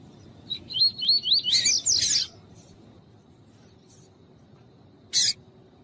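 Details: Warm-up recording of a double-collared seedeater's tui-tui song with a female calling, used by tournament breeders: a fast string of curling whistled notes ending in higher buzzy notes, then silence and a single sharp click.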